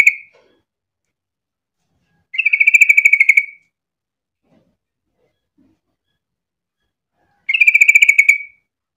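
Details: A yellow-vented bulbul call, used as a lure to make other bulbuls sing, gives two bursts of rapid, bubbly chattering notes, each over a second long and about five seconds apart, with silence between.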